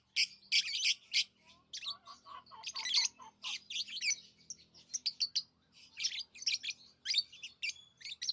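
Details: Pet lovebirds chirping: dense bursts of shrill, high, squeaky chirps, several in quick succession, with a few lower clipped notes in between and short pauses.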